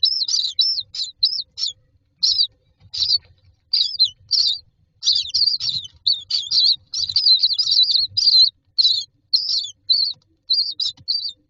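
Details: Common myna chicks standing in a row in a nest box give harsh, raspy chattering notes in quick uneven bursts, several voices overlapping as they wait and beg for food.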